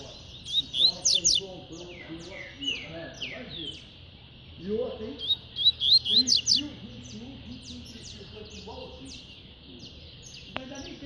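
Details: Double-collared seedeater, described as spirited and fast, singing in the tui-tui style: quick high whistled notes and rapid buzzy trills in two bursts, with lower warbling sounds underneath.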